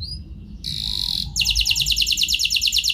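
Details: Canary lure song to prompt other canaries into long rolls: a short whistle, a sustained buzzy tone, then a fast even metallic trill.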